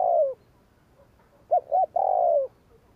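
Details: Spotted dove giving 'gù kích' cooing used to provoke wild doves: a falling coo ends, then after a pause two short clipped notes lead into a long, drawn-out, downslurred coo; faint soft coos between.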